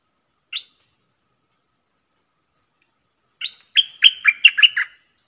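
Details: Bulbul used as a decoy bird, recorded 22 August 2021. A single sharp chirp is followed after a pause by a rapid jumble of bubbling, descending whistled notes.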